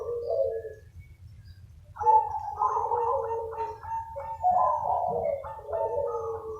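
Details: Many local zebra doves calling back and forth in lively chorus, used as a lure: overlapping rolling, bubbling coos at low-mid pitch, phrases running into each other after a short quiet spell; low rumbling background.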